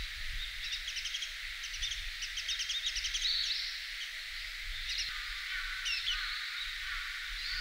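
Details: Several Japanese White-eyes in a park in winter call together with thin, high twittering notes in quick clusters, over a low hum of background noise.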